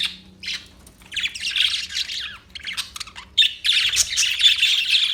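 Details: Parakeet chirping and squawking in dense, scratchy high bursts, rapid notes running together into chattering phrases with brief pauses, loud and close, over a faint low hum.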